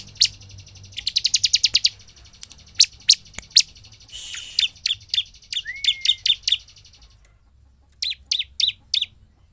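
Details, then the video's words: Bar-winged prinia singing hard, used as a lure to rouse other birds of its kind: a quick buzzy rattle, then scattered sharp high chips, a rasping burst, a brief rising whistle and a final group of four clipped notes. "Ciblek gacor untuk pancingan ciblek agar emosi dan cepat ngebren"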